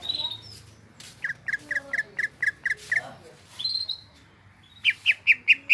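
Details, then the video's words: Greater green leafbird vocalising in active song: a row of short, evenly spaced whistled chirps, a higher drawn-out note, then a closing group of five louder, emphatic notes. "BURUNG CUCAK IJO GROPYOKAN GACOR"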